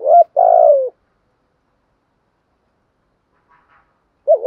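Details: Lure spotted dove cooing to stir wild doves: one loud phrase of a short wavering note and a long falling coo, silence, faint soft notes, then another wavering coo beginning.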